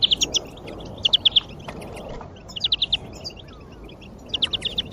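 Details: European greenfinch song used to motivate other birds: four short bursts of three to five clear chipping notes, spaced about a second apart, with softer chirps and a hissing background.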